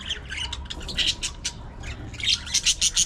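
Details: Pet budgerigars at play and squabbling, with bursts of sharp, high-pitched squawks and chirps in quick uneven runs, louder toward the end, over a low background rumble.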